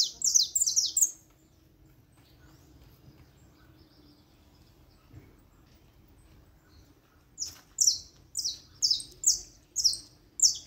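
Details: Saffron finch singing: a burst of high, sharp, downward-slurred chirps, then about six seconds of near silence before the bright chirping phrases resume and repeat roughly twice a second.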